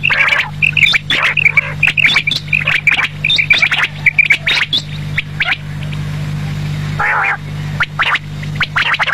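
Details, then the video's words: Evening calling of quail: strings of bright, quick notes repeated in short clusters, mixed with harsh squawks and clicks, a smoother hissy stretch near the middle, and a steady low hum. "batair ki awaz sham k lia"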